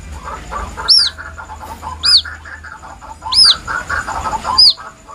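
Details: Plaintive calls of a White-breasted waterhen chick, used as a lure: four loud, high downslurred peeps with a bright ringing edge, spaced roughly a second apart, over soft mid-pitched chattering and a faint low hum.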